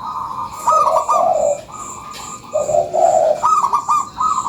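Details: Zebra dove of a local strain cooing a lure song: rapid, staccato high notes tumbling into warm rolling coos, given twice, with thin background chirping.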